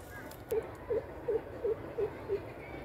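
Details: A greater coucal gives six low, booming hoots at a steady pace, about one every 0.4 seconds. Each note is short with a slight downward bend, set against faint background rumble.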